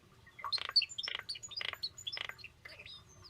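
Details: European starling song: a jumble of thin high whistles and chirps mixed with short buzzy, rattling bursts, about four dense bursts in three seconds, no other clear sounds.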